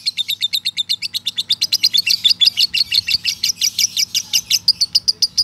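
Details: Male lovebird giving the long 'ngekek' trill, said to sound tired, meant as a master recording for adult and young birds: a sustained run of sharp, high chattering notes, about five per second, steady throughout without a break.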